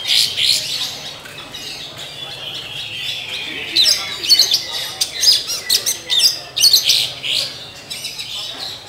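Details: A black Oriental magpie-robin gives a loud, scratchy song of harsh rasping bursts and high chattering notes, with the bursts coming quickly in the second half.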